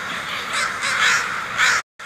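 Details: Three or four loud, grating caws in quick succession from crows flying off, followed by a sudden brief silence.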